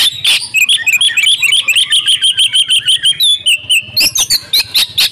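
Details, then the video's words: Female white-rumped shama lure call for silent males: an even train of short, sharp chipping notes about four per second, broken by a longer whistle and brighter chirps near the end. "pancingan kacer gacor ,cocok untu memancing kacer bisu || kacer betina"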